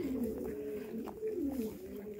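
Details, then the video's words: Pigeons cooing loudly inside a sheep barn in winter while a lamb is bottle-fed; low, rolling coos rise and fall in repeated phrases, with faint barn noise behind. "Oh my goodness. I came in here to get rid of the noise, and I don't know if you can hear those pigeons."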